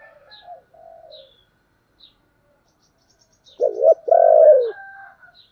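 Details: Soft, distant cooing first, then a loud spotted dove phrase in thổ voice style, urging and calling: a brief rising-falling note and a long even coo that falls away, with faint high bird chirps around.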